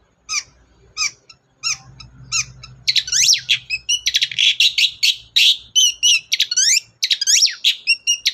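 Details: Long-tailed shrike in gacor form, played to encourage a quiet shrike to sing: spaced sharp chips that speed into a dense, scratchy babble of varied chirps and sweeping notes over a low hum.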